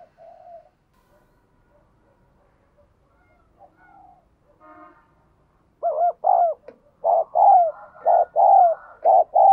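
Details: A caged decoy spotted dove coos to excite males. The start is nearly silent with faint murmurs. Loud, rounded coos then begin, repeated in quick downward-curving notes, with a faint higher tone beneath.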